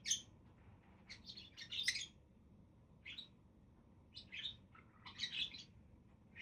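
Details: Budgies chattering in scattered short chirps and squeaky warbles, high and bright, in bursts with brief quiet gaps, over a low steady background hum.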